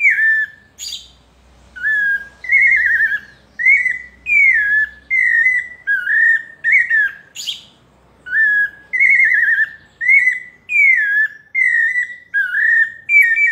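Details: Melodious paulista song of a pale-breasted thrush (sabiá parda): a long run of short, bright whistled phrases, some bending downward, a few sharp high notes between them, and a faint low hum early on.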